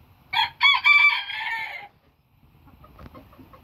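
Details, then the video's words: Booted Bantam rooster crowing: one hoarse, harmonically rich crow that starts with a short note and then draws out into a long, slightly falling wail, followed by faint rustling. "my rooster crowing"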